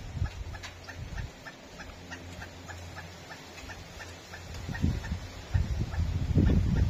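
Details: A Pileated Woodpecker in Palm Coast, Flagler County, Florida, seemingly complaining, gives a long, steady series of loud, short clucking notes, about four per second, over low rumbling background noise.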